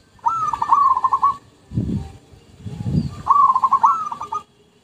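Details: Zebra dove lure song: two rapid phrases of rhythmic, bubbling coo notes about two seconds apart, with dull low thumps between them.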